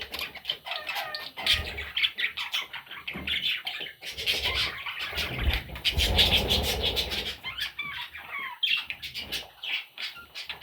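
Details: Parrot chicks chatter with repeated rasping squawks, roughly three a second, while a louder rustling, rushing noise rises through the middle.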